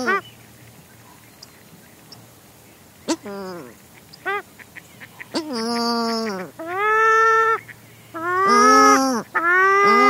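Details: Close-up of a pair of Paradise shelducks trading calls: the male's low, drawn-out nasal honks alternate with the female's higher, sharper notes, bunched together and loudest near the end; a mallard is in the background.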